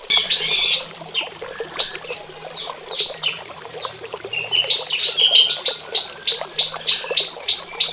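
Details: Prinia calling to mate in the morning in a mini aviary: runs of short, sharp, high chip notes repeated about three times a second, opening and closing in louder bursts, with scattered twittering chirps between.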